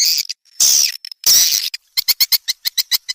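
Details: Edible-nest swiftlet call for luring swiftlets to a nest house: two long buzzy chirrs followed by a fast series of short clicking ticks.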